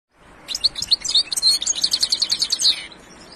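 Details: European goldfinch song: a fast, tinkling stream of high twittering notes and short liquid trills lasting over two seconds, with little background noise.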